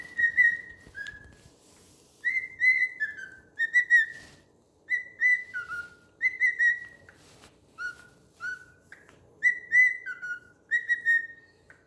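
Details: A pet cockatiel named Tango tries to sing "Another One Bites the Dust", whistling in clear, flute-like phrases with falling steps.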